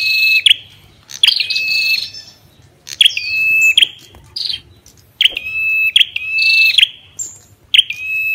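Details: Loud, ringing Ashy tailorbird phrases: a sharp note dropping into a steady clear whistle, repeated about every second and a half, with brief buzzy overlaps between.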